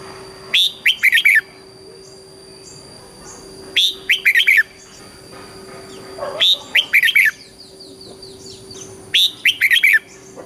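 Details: Red-whiskered bulbul singing southern Thai style phrases to train young birds: four short whistled, warbling phrases about every three seconds, with soft faint chirps between and a steady low hum.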